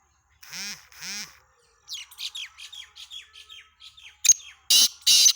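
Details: Black francolin (kala teetar) calling, recorded 17 February 2023. Two nasal harmonic notes open the phrase. A rapid string of thin descending chirps follows, then loud, grating broadband bursts close it against a quiet background.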